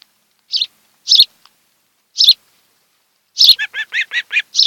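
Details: Short sharp chirps from an osprey pair at their Kent Island, Maryland nest, recorded by webcam on a July 2018 afternoon. Several single high notes come first, then a rapid string of six or seven descending whistled notes.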